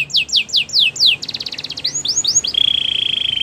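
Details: Belgian canary song with five clear falling whistles, a quick chattering trill, a few rising swoops and a long steady high rolled note at the close, over a faint background hum.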